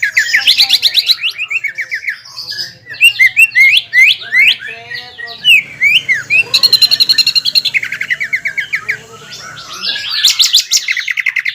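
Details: Caged greater green leafbird song used to provoke a rival: varied bursts of sharp whistles, slurred rising notes and fast chattering trills, with a brief quieter passage midway and a dense trill at the end.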